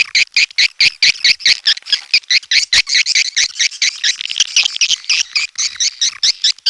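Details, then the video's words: Swiftlets, burung walet, giving dense rapid chattering calls, many overlapping buzzy chirps repeated quickly and evenly, busy and continuous throughout. "SUARA BURUNG WALET"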